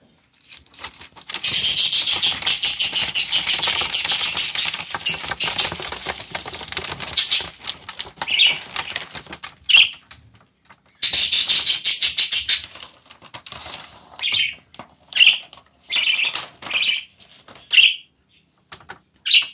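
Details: A male budgerigar, a father angered by attempts to hand-tame and handle his chicks, gives short, harsh, scratchy squawks amid loud rustling and wing-flapping.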